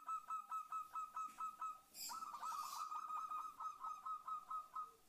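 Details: A female zebra dove calling the male, used to lure other doves into calling: an unbroken series of short, evenly spaced cooing notes, about five per second, with a brief hiss partway through.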